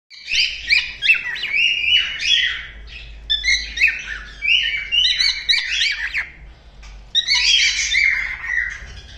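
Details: White-faced Cockatiel singing a mating call: a lively run of chirps, warbles and whistled phrases.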